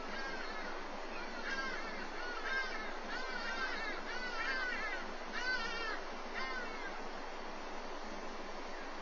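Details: Black eagle pair at a nest at Walter Sisulu Botanical Garden, an adult feeding breakfast to its chick, picked up by a nest webcam: a series of thin, wavering, squeaky calls repeated roughly every second, over steady hissing background noise.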